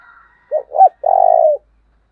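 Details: Decoy spotted dove calling to provoke wild birds: a faint high note, then two short rising-falling coos followed by a long, buzzy, slightly falling coo, clean and close.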